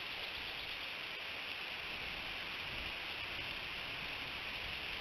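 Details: Continuous rain hiss throughout with no animal calls.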